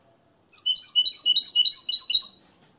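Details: European goldfinch, a nest-raised Moroccan cage bird taught the limpio song, gives a brisk two-second burst of bright, high, stuttering twitters in quick succession.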